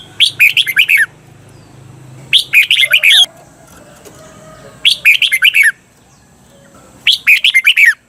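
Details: Red-whiskered bulbul kept as a cage bird in Thailand, recorded for teaching doubled song: four evenly spaced phrases of six quick bubbly warbled notes, about two seconds apart.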